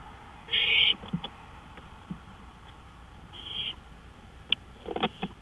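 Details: Owl at night on a porch, May 5, 2013. One loud rasping hiss, then a softer second one, with scattered clicks, taps and rustling sounds near the end.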